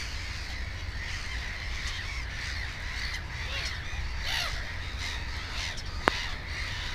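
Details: Black-headed gulls at a nest with two chicks, 15 May 2016: harsh, overlapping calls from many gulls, with a steady low background rumble and a sharp click near the end.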